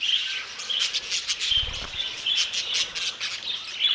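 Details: Aviary flock of budgerigars giving nonstop overlapping chirps and scratchy twitters, with sharper squawks standing out every second or so; a short low thumping noise breaks in midway.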